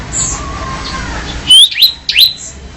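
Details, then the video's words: Mountain cemblek bird uttering three brief, bright whistled notes that sweep up and then down, following a quiet moment of faint background noise. "Kicau Suara Burung Cemblek Gunung | Chirping Sound of Mountain Cemblek Bird"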